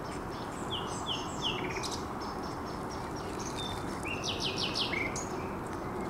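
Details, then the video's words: Song of a common nightingale at a little promontory on the Żerański Canal in late April 2021: short whistled phrases, a few sliding notes and a fast rattling burst, over constant low background rumble. "Śpiew słowika rdzawego"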